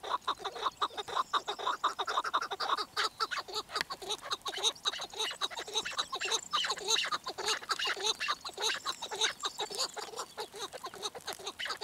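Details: Chukar partridge chorus of fast, harsh clucking notes, nearly three per second, dense and overlapping throughout, with strong ringing harmonics.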